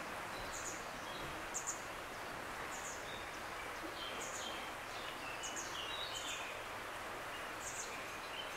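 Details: Grey wagtail (Motacilla cinerea), call.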